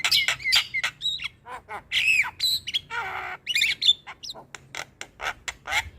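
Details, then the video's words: Javan myna gacor song meant to get a lazy bird singing: jumbled harsh squawks, downward-curving whistles and a nasal rasping squeal among quick clicks. "Burung Jalak Malas Bunyi Harus Rutin Di Beri Pancingan Kicauan Jalak Kebo Gacor Ini"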